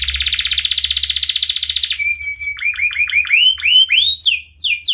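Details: Long-singing canary used as a training lure for young canaries: a fast rolling trill for two seconds, then a steady whistle and a series of rising and falling swooped notes climbing higher.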